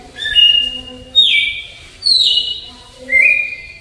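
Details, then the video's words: Red-cowled cardinal giving the slow 'flauta alagoano' flute song; four loud whistled phrases, each a steady or downward-sliding pure tone, one per second, over soft low background hum. "GALO DE CAMPINA CANTO FLAUTA ALAGOANO LENTIDÃO"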